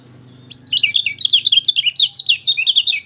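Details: Lemon-bellied white-eye, used to prompt a bird that will not sing: after half a second of low hum, a fast continuous twittering of high sliding chirps runs without pause to the end.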